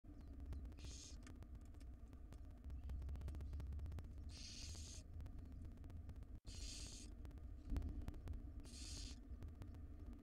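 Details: Wild barn owls in a monitored nest box, a female feeding her tiny chicks; four harsh, breathy hissing bursts about two to three seconds apart over a steady low electrical hum.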